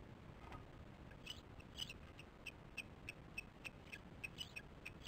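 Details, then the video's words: Nest-camera audio of osprey chicks at the nest, 08:10 on 13 July 2015: a few scattered high chirps build into a quick, even string of sharp piping notes, roughly three per second, against faint background hiss. "Baby talk"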